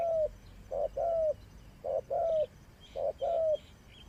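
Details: Spotted dove kept as a trapping decoy, three two-part coos, each a quick low note then a longer falling coo, spaced about a second apart, with soft distant chirping.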